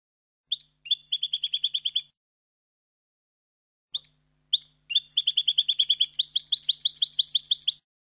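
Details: European goldfinch song for tutoring young birds: brief introductory chips, then fast ringing trills of high metallic notes, a pause, and a longer trill that shifts pitch midway.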